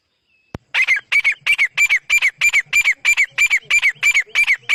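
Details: Partridge (teetar) calling during a fight between two birds: a sharp click, then harsh, ringing double notes repeated steadily about three times a second without pause.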